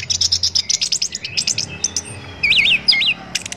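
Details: Orange-headed thrush singing in a tutor recording for cage songbirds: a fast run of high, evenly spaced chirps, a short pause, then loud looping whistled notes sliding up and down.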